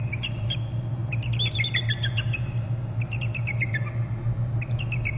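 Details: Bald eagle calling on its nest territory on Hornby Island, recorded by a nest camera: bursts of high, thin piping notes that fall in pitch in quick stuttering runs, over a steady low hum.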